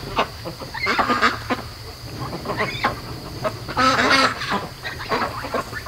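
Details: Flock of young domestic ducks being raised, day 73, awake around 3 AM at night: overlapping harsh, nasal quacks and honking calls in rapid irregular bursts, loudest near the fourth second, with a steady low hum underneath.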